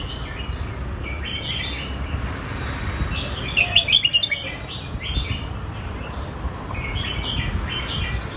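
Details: Red-whiskered bulbul performing the song styles known as Phet and Prachathipat. Several short bursts of bright, chirpy whistles rise above a low steady background rumble, with quieter warbles between them.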